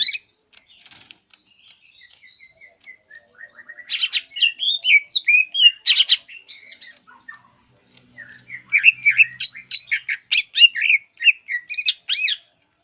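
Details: Greater green leafbird pouring out a varied, high-pitched song of fast chips, twitters and mimic-like phrases, with gaps and bursts of dense chattering.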